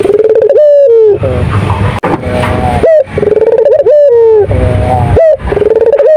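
A turtle dove gives loud, rolling coos about every second, each a low hum that swells and lifts at the end, with rough breathy notes between.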